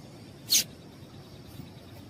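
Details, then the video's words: Female yellow-bellied seedeater call for getting males to sing: one brief, bright, high chip, then near silence with a faint hiss. "Piado de Fêmea de Papa capim para Esquenta papa capim"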